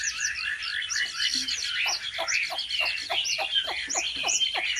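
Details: Chinese hwamei in competitive song during home training: dense overlapping whistled phrases with a steady rhythm of down-swept notes beneath, slightly muffled.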